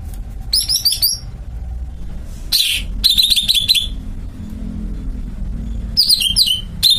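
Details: Caged greater green leafbird sings several rapid phrases of high, rolling whistles and buzzy notes in quick succession, separated by short pauses, over low background rumble.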